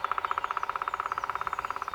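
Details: A male Black woodpecker drums to attract females, a fast, even roll of about sixteen hollow strikes a second, steady in pace and loudness throughout, on dry wood; louder drumming is better.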